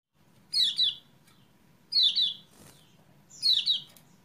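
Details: Kecial kuning, a lure recording to get a caged bird that has stopped singing to sing; three bright, descending chirps, each a quick double note, about 1.5 seconds apart, with a low hum underneath.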